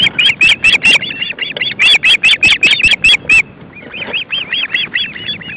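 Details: Osprey family at the nest on a very windy day, three young with parents bringing fish; rapid series of sharp, high whistled chirps, each slightly arched, in quick bursts with a brief lull before softer repeats, wind rumble beneath.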